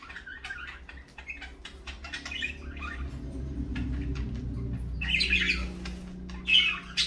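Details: Parakeets in the morning: soft scattered chirps at first, then a low rumble builds and two loud harsh squawk bursts stand out near the end.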